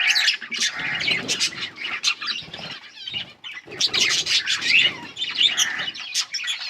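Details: Yellow budgerigars, August 20, 2024, chattering in bursts of sharp chirps and scratchy warbles, with brief rustling and short gaps between outbursts.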